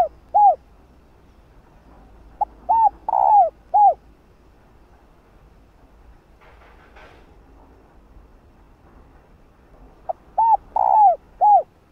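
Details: Female spotted dove cooing to call and excite a male. Three phrases of hollow, descending coos, each opening with a short clipped note before longer drawn-out coos, separated by long quiet gaps with faint background noise.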